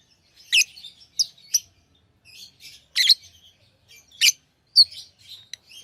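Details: Tamed pet lovebirds with repeated sharp high chirps and brief squeaky notes, irregular, roughly one loud chip every second among softer twittering.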